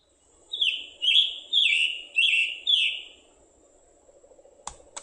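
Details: Scarlet tanager (Piranga olivacea) song: five hoarse, burry phrases in quick succession, robin-like in rhythm but rough and raspy ("robin with a sore throat"), and a rhythmic "chick-burr" call. A couple of faint clicks follow.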